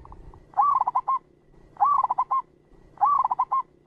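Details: Zebra dove, local type, calling as a trapping lure: three staccato cooing phrases about every 1.2 seconds, each starting with an upward-swooping note and then breaking into rapid short coos. The background is clean.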